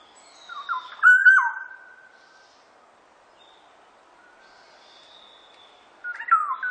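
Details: Black-naped oriole giving a loud, fluty whistled phrase with a drawn-out final note, followed by a long quiet pause before the next phrase begins.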